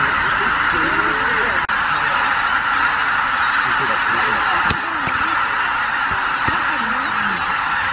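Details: Greater white-fronted geese, over 83,000 birds, leaving their night roost at Miyajima-numa at dawn on 23 April 2017 in poor weather; dense wall of overlapping honking calls from the huge flock, with loud clamour throughout.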